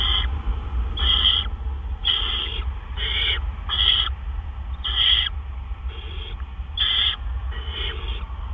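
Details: At 1:43 AM on 10 April 2013, a gopher arrives at a great horned owl nest. Nine harsh, hissing screeches repeat about once a second over a steady low hum.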